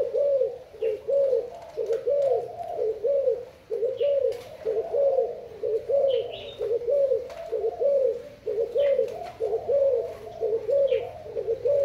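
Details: Thai-type spotted dove calling steadily: a long run of mellow, low coos grouped into repeated phrases, with short pauses between series and occasional faint high chirps of other birds.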